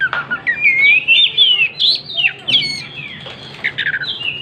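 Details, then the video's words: Oriental magpie-robin singing vigorously while spreading its tail: a rich, continuous run of clear whistled phrases, sliding up and down, with quick chips near the end. "Burung Kacer gacor buka ekor"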